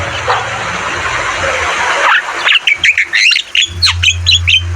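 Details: Javan myna in vigorous song, from a training recording for caged birds: hissy noise for two seconds, then a rapid run of sharp, clipped, whistled and chattering notes with a low electrical hum underneath.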